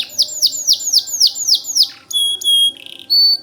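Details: White canary singing vigorously, meant as a tutor song for White-rumped Shamas. Quick downslurred notes repeat about four per second, then a few steady, pure whistled tones follow.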